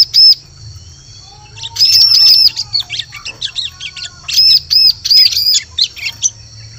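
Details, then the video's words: Bar-winged prinia lure recording meant for trapping in forest: a single high ringing note, then several quick runs of arched, bright notes mixed with rapid chattering chirps, bursts repeating about every half second. "Suara Pikat Burung Ciblek Cocok Untuk Memikat Di Hutan"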